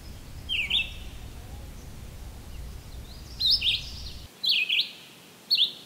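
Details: In Maynard, Massachusetts, on a summer day, July 13, 2023, a Red-eyed Vireo sings brief slurred, twisting phrases in pairs, with a long pause after the first; low rumbling noise fills the background until the last couple of seconds.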